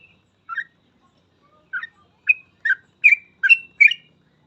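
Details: Sooty-headed bulbul, 'gacor full ropel' song meant as a training master: a few scattered liquid notes that speed up into closely spaced bubbly two-part phrases toward the end, clean with no other sounds.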